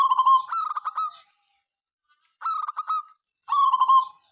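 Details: Busy local zebra dove song, heard morning through night, said to provoke other birds into singing. Three cooing phrases: clipped rapid notes and soft rolling coos, with a short silence between groups.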